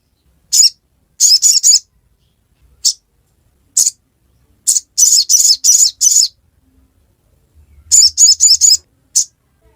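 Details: Sogon (sogok ontong) ngiriwek song: sharp, thin chirps that come singly or in rapid groups of four to six, with longer silences between phrases.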